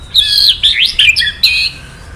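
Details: White-rumped shama kretekan, played to trigger a male shama into singing: a dense string of high, rapidly changing chirps and slurs, ending in a sustained bright phrase.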